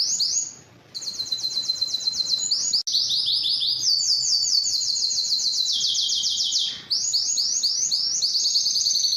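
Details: Strong, distinctive canary song used for tutoring young canaries and stimulating males and females: rapid trilled rolls high in pitch, switching between steady tours, a brief pause near the start and a short break before the final rolls.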